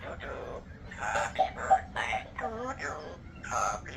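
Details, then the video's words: A pet parrot sings Happy Birthday in a husky, speech-like voice, giving wavering syllables that rise and fall like a tune, with a few clicks and indoor room noise as people sing to it. "The parrot is singing Happy Birthday El loro está cantando Feliz cumpleaños"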